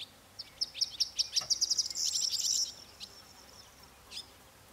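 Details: Corn bunting song: a string of dry, high ticking notes that speeds up and runs into a short, jangling, glassy trill, followed by one faint isolated note near the end over a quiet background.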